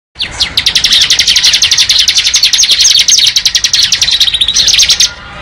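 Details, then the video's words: Bar-winged prinia singing in the ngebren style: one unbroken run of rapid, evenly pulsed high chirps lasting nearly five seconds, buzzy and sharp, ending abruptly into quiet. "Suara Burung Ciblek Ngebren"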